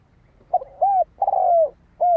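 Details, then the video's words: Spotted dove lure bird cooing to draw in wild doves: a quick broken note, a rounded coo, a long sustained falling coo, then a closing short coo, loud and close with little background. "Tiếng chim cu gáy kích mồi cực sung"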